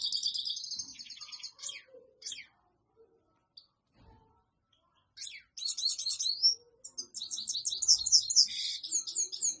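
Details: European goldfinch singing to court a female for mating: a burst of high, liquid twittering and rapid trills, then a few seconds of near silence with scattered faint chips, before the tinkling song resumes strongly.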